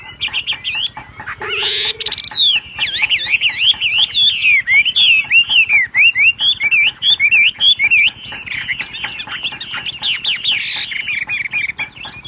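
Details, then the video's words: A wambi delivers energetic ngebrem gacor song: rapid chains of looping, wavering whistles and chattering notes, with a brief low steady hum near the two-second mark. "BURUNG WAMBI NGEBREM GACOR."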